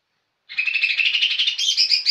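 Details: Young lesser green leafbird (cucak ijo) in full, lively song: a continuous rich warble of rapid, slightly buzzy chirps, rising higher toward the end, with no other sounds.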